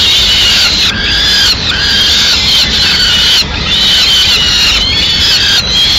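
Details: Peregrine falcon at its Madrid nest, 6 May 2016, the female delivering a pigeon: a string of loud, rasping wails, each lasting under a second, separated by short breaks, with faint hiss behind.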